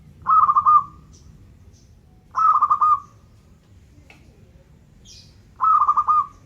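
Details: Zebra dove of local stock in lively song: three short cooing phrases about two seconds apart, each a quick stutter of soft notes ending in a held coo, quiet background between.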